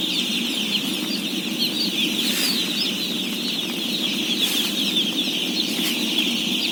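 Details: Dense chorus of day-old chicks in a house holding about 17,000 birds at feeding time. Countless high, thin peeps merge into a continuous shrill twittering band, with a low rumble of the crowd beneath and a few brief rustling bursts.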